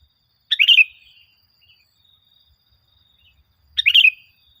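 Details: Sooty-headed bulbul lure recording to get caged birds singing: two brief, lively chirped phrases roughly three seconds apart, quiet between them apart from a faint high whine.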